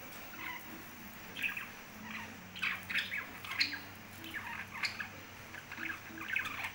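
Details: Caged lovebirds kept as pets chattering with scattered sharp squawks and short chirps, several calls overlapping in a busy, irregular stream with low household hum behind.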